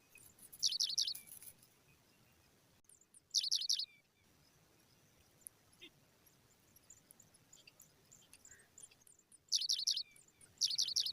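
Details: Baby pipits begging as a parent feeds them: three short bursts of shrill, high, rapid squeaking chirps separated by long quiet gaps with faint distant ticks.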